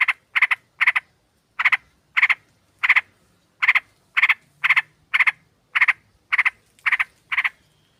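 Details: Female sooty-headed bulbul calling a male, recorded as a flock lure: steady series of loud paired and tripled harsh chatter notes, repeated about every half second over a quiet background.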